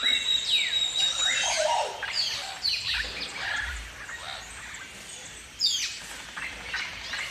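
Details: Galahs, rose-breasted cockatoos of Australia, give harsh, rasping screeches that sweep downward, overlapping in quick bursts about twice a second, with several birds calling at once.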